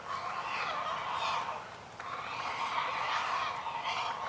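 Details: Great blue herons, adults feeding a chick in a noisy feeding frenzy: a loud, harsh, rasping racket of sustained grating squawks in two long bursts, with a brief lull between them.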